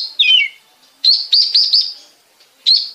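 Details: An Oriental magpie-robin (kacer) recorded in Bekasi as a lure song sings clear, high whistles: a falling slurred phrase, a quick run of four bright notes, then one rising whistle. No other sounds.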